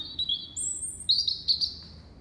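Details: A European robin gives its sunset winter song at a Kew Gardens greenhouse, a string of high, pure whistled notes, one very high held tone, then brighter trills, with faint low background noise.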